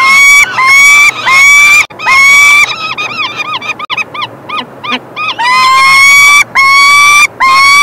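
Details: Young peregrine falcons being fed by the male, 3 June 2024, wailing loudly for food: long, rising, harmonic screams in steady series, broken midway by a burst of rapid, short chittering notes before the drawn wails resume.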